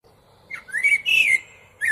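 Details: Common blackbird giving a brief flute-like phrase: two smooth, slurred whistles with a rich tone, then a short pause and the start of another note.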